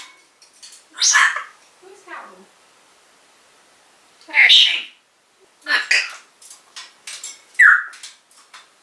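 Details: Caged African grey parrot in 2012 calling out the name of its owner's mother, who does not live there; loud speech-like calls with quiet chatter between, separated by short pauses.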